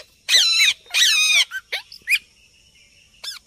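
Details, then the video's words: Parrots calling naturally outdoors: two long, harsh, rasping squawks of about half a second each, followed by shorter rising chirps and scattered squeaks, with a steady high hum in the background. "ପ୍ରାକୃତିକ ଶୁଆ ଶବ୍ଦ || Natural Parrot Sounds || प्राकृतिक तोता शब्द"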